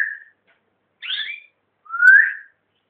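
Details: Pet songbird of the owner's father-in-law gives three separate whistled notes: a flat whistle, a buzzy doubled slur, then a long rising whistle, all in a quiet indoor setting.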